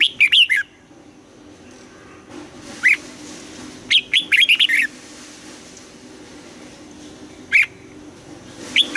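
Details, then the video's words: Red-whiskered bulbul morning song in the double-note style of old wild birds: rapid whistled bursts, isolated single notes, a dense phrase of seven notes mid-way, and scattered notes continuing to the end. "Luyện giọng cho chào mào hót sáng, ép chào mào hót âm kép già rừng hay tuyệt"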